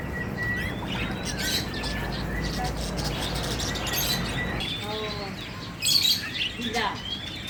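A budgerigar gives thin whistled chirps and scratchy warbling chatter over a steady low background hum.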